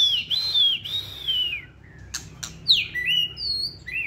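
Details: White-rumped shama, a caged competition songbird, gives long clear whistled notes that waver and then fall, followed after a pause by a rising whistle and a short upward slur.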